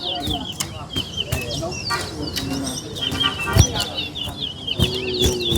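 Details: Chestnut-bellied seed-finch (towa-towa) in a singing competition between West Coast and West Bank birds: rapid high warbled and twittering phrases run almost continuously, over music, sharp knocks and a person counting aloud.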